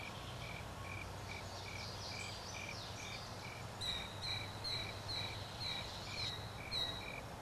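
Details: Killdeer family with chicks sheltering underneath the mother; sharp, high notes repeat roughly every half second through the latter half, over a steady pulsing insect chorus, with fainter chirps earlier.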